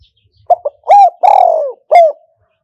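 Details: Decoy spotted dove used in traditional trap trapping. One loud phrase: two short clipped notes, then a rising-falling coo, a long vibrating drawn-out coo that slides downward, and a final firm coo.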